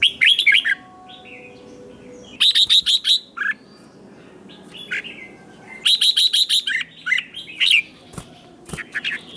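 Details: Red-whiskered bulbul competition singing, used to provoke other birds: loud bursts of rapid clear notes near 4k, repeated phrases in bouts separated by pauses, with fainter bird notes between and low background hum.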